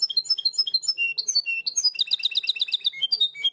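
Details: Continuous 'primaveras' song of a European goldfinch hybrid, the herrerillo style valued in Barcelona: quick high tweets and descending whistled notes lead into a dense rattling series of repeated chips, then more clear whistles.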